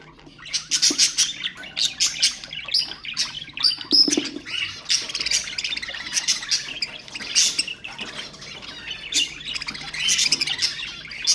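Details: Ornamental budgerigars, calls meant to spur other birds: a long, continuous chattering warble of high chirps, clicks and scratchy squawks, rising in busy waves.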